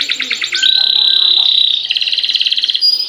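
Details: Singing canary in 'gacor' style, used to prompt other canaries to sing: a quick rattling trill gives way to a long steady high whistle, then a pulsing rolled trill.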